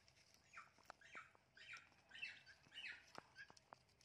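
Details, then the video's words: Blue and gold macaw, a talking pet in a garden, gives a rapid run of short, scratchy squawks, roughly two per second, with clicks and quiet hiss around them. "Our Lovely Blue and Gold Macaw!"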